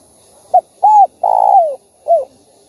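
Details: A single spotted dove phrase, used to provoke other doves into calling: a short hoot, a rounded mellow note, then a long coo that slides downward, ending with a softer falling note.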